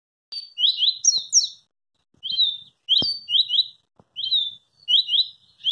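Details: Double-collared seedeater, described as an unusually fast singer, delivering quick bursts of high, rising, slurred notes in clustered phrases separated by short pauses, with a few faint clicks underneath.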